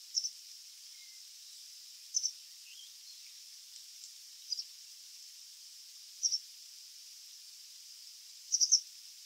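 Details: White wagtail song: high, thin doubled chirps about every two seconds, set against a steady soft hiss.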